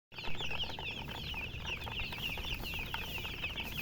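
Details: Hen chirping, described as silly chicken chirping: a steady stream of rapid, high, wavering chirps running continuously over low rumbling background noise.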